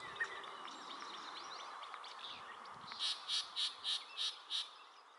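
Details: Yellow-breasted chat singing in spring at Springbrook Prairie, Naperville, Illinois, in May 2021. After faint mixed chatter, a run of six bright, evenly spaced notes comes at about three per second. A person whispers "shh" beforehand.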